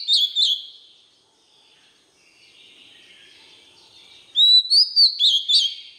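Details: White-rumped shama song used to train young birds: a short whistled burst, a faint warbling stretch, then a loud run of rising and falling whistled notes with sharp high clicks.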